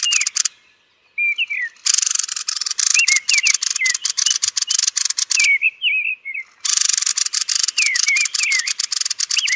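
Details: Thrush calling at its roost, long runs of harsh clicking chatter in bursts, interleaved with brief twisting whistled notes, with short quiet gaps between the rattling series.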